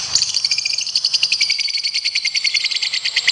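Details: Lovebird giving a long trilled competition song: continuous harsh high rattling pulses, fast and fairly even, sustained throughout.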